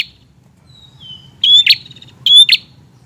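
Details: Prinia in lively song: a faint, thin descending whistle, then two loud, high bursts, each a clear whistled note followed by a harsh snapping click, spaced about a second apart.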